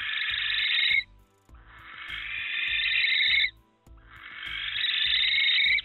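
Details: Barn owl, a female calling in distress near her nest box of eggs after an intruding barn owl fought a tawny owl, gives three long, harsh hissing screeches, each a second or more, rising in intensity, over soft low music.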